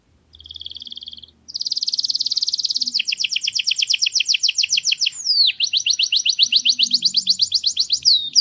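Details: Canary singing in a garden: a long, loud, high song built from rapid trills, with a short buzzy opening, then several fast rolling tours of repeated notes, one beginning with a sharp downward sweep.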